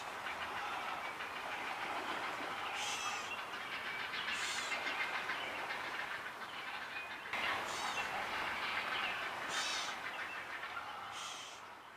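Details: A steady, rushing mechanical roar, like a passing train, with brief bursts of hiss.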